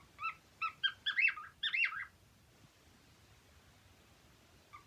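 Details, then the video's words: Short whistled notes from a happy cockatiel quicken into a loud swooping warble lasting about two seconds, followed by near silence and a single faint chirp. "HAPPY COCKTAILS 🎶 Singing 🎶"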